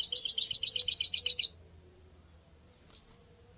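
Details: Sunbird lure call: a fast, high-pitched trill of about a dozen quick, buzzy notes that fades out, then a lone short, bright chip after a pause.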